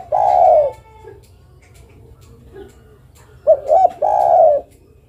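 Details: Female zebra dove calling to the male: a long soft coo, a quiet pause with faint murmurs, then two short bouncing notes followed by another long coo.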